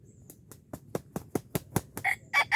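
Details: Red junglefowl in Darul Kamal, Aceh, where a wild bird is being lured with a decoy. Sharp, loud clucks repeat and speed up over two seconds, then harsh, broad crowing bursts close the sequence.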